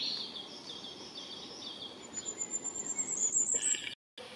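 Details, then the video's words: Firecrest song recorded in spring 2021 at Verdelais: a very high, thin, faint run of rapid notes that climbs gradually, preceded by another bird's lower warbled phrases and followed by a brief silent gap. "Roitelet à Triple Bandeau, chant"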